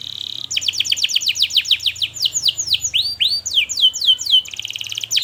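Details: Lure song of a canary, used to train young birds learning to sing: long, loud and fast, with a buzzy trill, then a run of rapid descending whistled sweeps and rising arched notes, closing on another dense trill.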